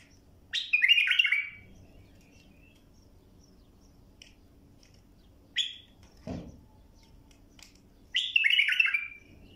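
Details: Bulbul song meant for teaching young birds to sing: a loud bubbling warbled phrase, then near silence broken by a brief note and a low thud, then a second rich phrase.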